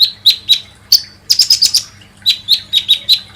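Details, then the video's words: Kolibri ninja sunbird lure song: high, thin chirps repeated in quick series, a bright burst of rapid notes in the middle, then evenly spaced sharp tweets. "SUARA BURUNG KOLIBRI NINJA"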